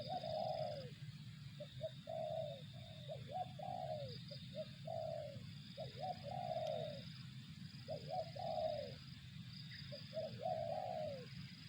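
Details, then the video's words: Repeated phrases from a spotted dove, each a pair of short hooting notes and then a drawn-out descending coo, about every two seconds, against constant low-pitched background hum and a thin high whine. "suara burung tekukur"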